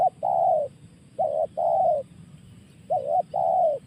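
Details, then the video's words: 'Tekan' call of a spotted dove, loud and close: three phrases of a quick wavering coo answered by a longer, rounded falling coo, spaced about one and a half seconds apart, with low rumbling background. "Suara tekan burung tekukur"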